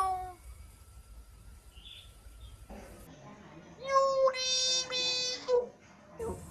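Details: Common hill myna from northern Thailand, Chiang Mai province, talking and giving blessings to relatives; after a quiet start, a loud harmonic voice-like phrase with steady held tones runs through the middle, followed by a brief shorter call.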